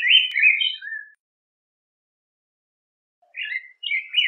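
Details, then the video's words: Yellow grosbeak singing two short bursts of warbled whistles separated by a long silent gap, each burst a quick jumble of rising and falling notes. "Picogrueso Amarillo Canto! Sonido! Cantando! Reclamo! - Yellow Grosbeak Song"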